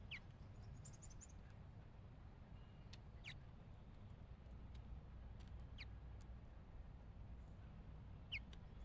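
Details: A house finch at a backyard bird feeder gives short, sharp downslurred chirps a few seconds apart, over a steady low rumble of background noise.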